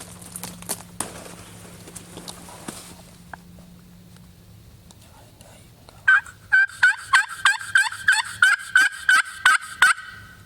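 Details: Osceola wild turkey gobblers, about 100 yards away in Florida public-land swamp during a 2010 hunt, gobble on their own: a loud, fast, rattling burst of about a dozen warbling notes over four seconds after quiet rustling.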